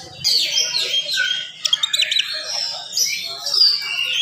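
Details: Oriental magpie-robin with a quick, dense morning song for provoking other magpie-robins: bright high whistles and a cluster of sharp chips mid-phrase, over a soft low hum.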